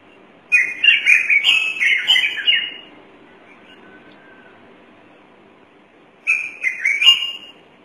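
A thick-knee gives loud, wailing whistled notes that rise and fall in a rapid run, pauses for about three seconds, then calls again briefly.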